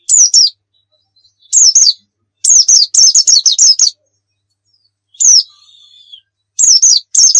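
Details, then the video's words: White-eye of the pleci dakun type from Pacitan in 'nembak' full-fill song: short bursts of shrill chirps, one note trailing into a long, thin, level whistle, then more quick twittering phrases. "masteran pleci gacor nembak full isian"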